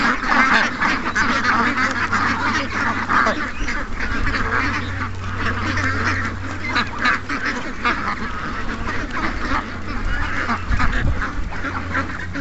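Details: Morning rush of over 700 ducks and geese, a steady wall of overlapping quacks and honks throughout, with a low rumbling hum underneath the crowded calling.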